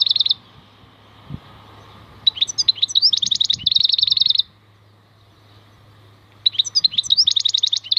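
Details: Goldfinch, locally called maknine khalwi, singing in bursts of fast, buzzy, repeated high notes mixed with twittering trills, pausing about two seconds between phrases, over a steady low hum.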